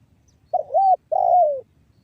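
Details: Spotted dove giving a 'banggo bocor' style call, used as a lure to make other doves call: a mellow two-part coo, a wavering note then a long falling one. The background is quiet.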